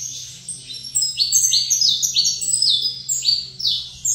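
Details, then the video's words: Brisk saffron finch phrases from a bird set opposite another: evenly spaced, bright, high falling notes repeated in a rolling sequence above a low electrical hum. "Canto Canário da Terra"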